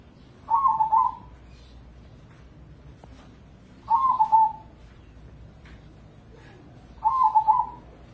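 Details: Crossbred zebra dove (perkutut crossing), a competition bird from Indonesia used as a lure to prompt other doves to sing. It gives three rolling, trilled cooing phrases, evenly spaced about three seconds apart, over a low background hum.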